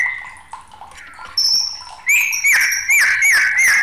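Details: White-rumped shama, agitated, starts with soft low whistles, then a thin high note, then loud repeated swooping whistles that rise and dip roughly every half second.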